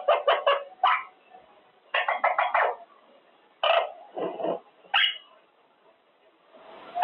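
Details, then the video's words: Caged Quaker parrot, a male, practising words during cage time: short bursts of raspy parrot speech-like syllables in clusters, with pauses and a brief squeak between. "Parrot practicing words - Talking Quaker parrot"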